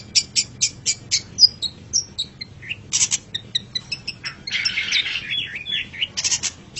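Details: Master recording of long-tailed shrike song for tutoring caged songbirds: quick clicky ticks repeated about four times a second, then varied whistles, a buzzy chattering stretch and more sharp ticks; no other clear sounds.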